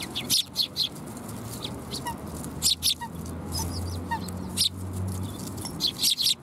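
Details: At a Tenmangu shrine on 7 January 2021, sparrows gathering to be fed utter clipped high chirps in small clusters, with faint thin tones and a low hum in the background.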